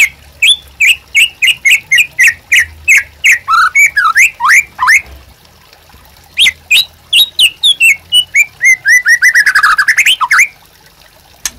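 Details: White-rumped shama song used to train captive birds: repeated sharp chirps at a steady pace, varied whistled phrases, then a quick accelerating trill, with a faint low hum underneath.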